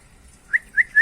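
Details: Common iora, locally called sirtu or cipoh, singing actively with a varied song: three short, clear whistled notes that rise slightly, evenly spaced about a quarter second apart, after a quiet start.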